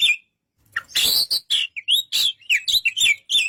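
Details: Oriental magpie-robin pouring out a rich, noisy song of rasping bursts and bright, twisting whistles in quick succession, with hardly any pause.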